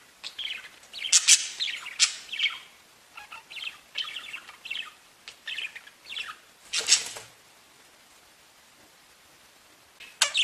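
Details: Pet budgerigars singing and tweeting in a lively bout of scratchy, high chirps and short warbled bursts, which fade out into quiet for the last few seconds.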